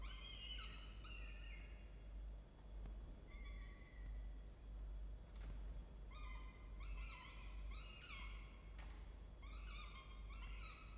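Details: A peregrine falcon at a nest box camera gives harsh, wailing calls in quick bursts of several notes, pausing between series, over a steady low rumble of wind or hum.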